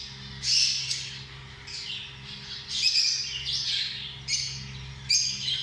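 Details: Lovebirds calling with shrill, slightly harsh squeaks and short squawks spaced a second or two apart, some sliding down in pitch, over a quiet steady hum.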